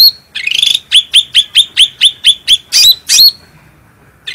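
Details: Ruby-throated bulbul (cucak rante) in a gacor master song used for training birds. A buzzy opening, then eight evenly spaced upward-flicking whistles and two louder swooping notes, ending in quiet.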